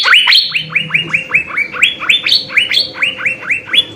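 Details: Cucak biru (Asian fairy-bluebird) song used to tutor cage birds: repeated rising whistles in a quick, bouncing rhythm, with alternating higher and lower notes over a faint low background hum.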